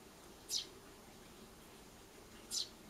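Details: Tree sparrow chick begging for food gives two shrill, downslurred squeaks about two seconds apart in an otherwise quiet room.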